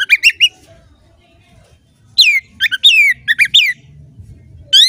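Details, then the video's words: Oriental magpie-robin, kept as a competition songbird (kacer gacor), singing loud whistled phrases: a quick burst of three rising notes, a pause, then fast clusters of descending slurred whistles and a final rising note. "Kompilasi Suara Burung Kacer Berkicau Gacor"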